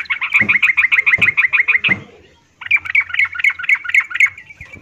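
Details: Female yellow-vented bulbul calling to a male, in breeding condition, giving the miyik call: fast, evenly spaced chirping notes of steady pitch in two bursts of about two seconds, separated by a short pause, with faint low knocks.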